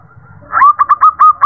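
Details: Zebra dove female calling to the male gives a brief, quick run of five or six short, bright coos, each sliding slightly upward, after a faint low murmur.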